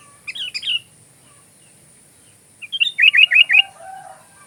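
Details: Sooty-headed bulbul song, used as filler material for training magpie robins: a soft bubbly chatter, a pause, then a fast run of five or six short warbled notes.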